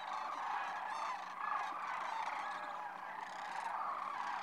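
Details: A dense, unbroken chorus of many migrating sandhill cranes at their March roost on the Platte River, Nebraska: overlapping rattling, trumpeting calls form a continuous roar that swells and fades slightly.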